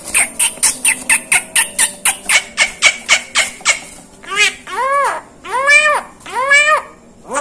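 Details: Asian pied starling (jalak kebo) mimicking other sounds: a rapid train of clicking notes, then three long arched nasal calls with rich overtones, each about a second long.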